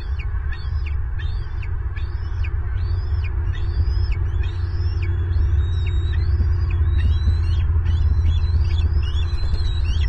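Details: Bald eagle at a Southwest Florida nest, 25 March 2023, as the male brings a third breakfast for the eaglet: a quick run of high, thin chirping notes, several per second, over a steady low rumble of wind.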